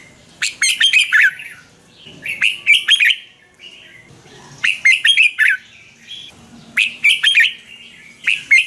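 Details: Thai caged red-whiskered bulbul song, played to stimulate or teach caged birds: lively, chattering warbled phrases with crisp clicking notes, four to five bursts separated by short pauses, clear and close.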